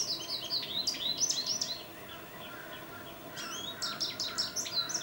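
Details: Bright, jumbled twittering of an American goldfinch, filmed with a Nikon D800; quick high chirps and down-slurred notes tumble together, fall quiet for about a second and a half, then resume in a fast cluster.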